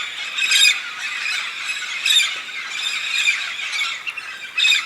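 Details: Large migrating flock of red-spectacled parrots in the Santa Catarina highlands of southern Brazil, gathered to eat araucaria pine nuts; a dense uproar of harsh, overlapping squawks and screeches, with louder bursts roughly every one and a half seconds.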